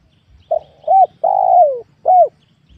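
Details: Wild spotted dove in a young oil palm plantation giving one full cooing phrase: a short hoot, a rising-falling note, a long descending coo, and a final clipped note, all low and mellow against near silence.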